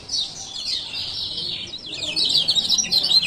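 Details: Lure recording of a male lemon-bellied white-eye from Lombok, meant to make a lazy bird sing; continuous rapid high twittering, growing louder and busier in its second half.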